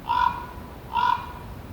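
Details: Two gravelly croaks from a common raven, under a second apart, each short and rough-edged, with faint hiss in the background.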